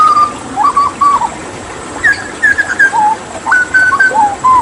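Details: Hooded butcherbird, the Papuan jagal endemic to Papua and known for mimicking other birds, singing vigorously in a water-therapy tutor recording: clear fluted whistles between low and mid pitch, each phrase stepping up or down, separated by short pauses.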